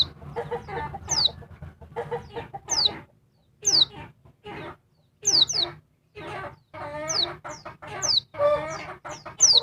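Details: Female oriental white-eye calling noisily to provoke the male, giving rapid high thin downslurred whistles mixed with rasping, grating chatter in irregular bursts, often two whistles close together, with brief silent gaps.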